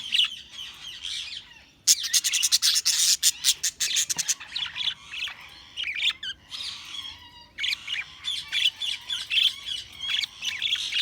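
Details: Budgies chatter loudly, mixing rapid clicking runs with high warbled chirps and squawks in a nearly unbroken stream.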